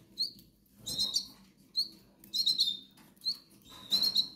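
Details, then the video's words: Hungry goldfinch chicks, Canary Islands, begging with short high squeaky whistles in clusters every second or so, with rustling and a low background hum. "LOS PICHONES TIENEN HAMBRE"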